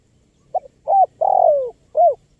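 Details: One full phrase from an actively calling spotted dove, used to lure wild birds: a soft short note, a clear coo, a long drawn-out coo sliding downward, then a crisp closing coo.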